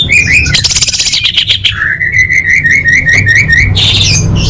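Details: Orange-headed thrush training song: a burst of harsh, chattering notes gives way to a long, steady, warbling whistle, repeated in smooth rolling pulses, ending with a final scratchy flourish.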